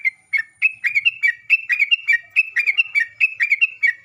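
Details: Sooty-headed bulbul song used as a lure to make other bulbuls answer, in the lively ropel and nggaruda styles: rapid bubbly whistled notes, mid-high and slightly slurred, delivered in a near-continuous chattering run of about a dozen phrases with no other sounds.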